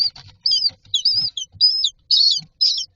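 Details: Nestling common mynas lined up in a nest box awaiting feeding give squeaky, wavering high calls in separate bursts roughly every half second, some notes sliding up and down, with soft low rustling.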